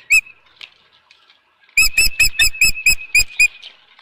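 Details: At the Dunrovin Ranch nest on 24 April 2018 around 4:19 PM, an osprey with a fish gives one sharp note, then after a pause a steady string of about nine loud, ringing whistled chips.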